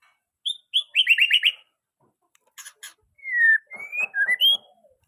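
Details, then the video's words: Young white-rumped shama singing for use as a tutor recording for other birds: a high note and a rapid buzzy trill, then a few short clicks, followed by slurred whistles rising and falling. "Murai batu muda cocok untuk masteran burung murai belajar bunyi"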